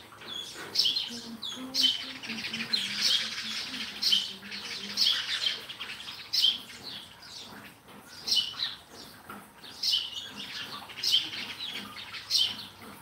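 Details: Lively sparrow chatter with sharp high chirps every second or so, bursts of overlapping calls from several birds, and a faint low murmur beneath.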